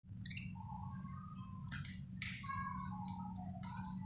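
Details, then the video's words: Happy budgie chirping, a soft warbling run of mid-pitched tonal notes with brief higher buzzy bursts, over a steady low hum. "Happy budgie chirping sound"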